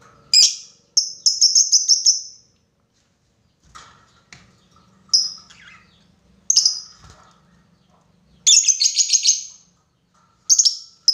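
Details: Lovebird calling a rival as a lure recording, described as ngekek panjang (long chattering): loud, harsh, high-pitched chattering bursts, some lasting over a second, separated by short pauses.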